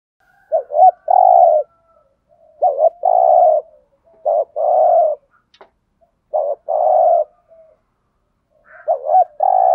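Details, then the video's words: Spotted dove used as a decoy to lure wild doves, cooing steadily: five low phrases of quick coos and a sustained croo, repeated roughly every one and a half to two seconds. "Tiếng chim cu gáy kích bổi rất hiệu quả/ cu cườm thúc gù bài bản, cu cườm mồi gáy giọng hay"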